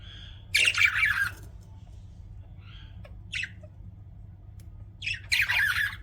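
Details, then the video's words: Pet budgies chirping: three separate bursts of harsh, scratchy warbling at about half a second, three and a half and five and a half seconds, with quiet low hum between them. "BUDGIES CHIRPING SOUND"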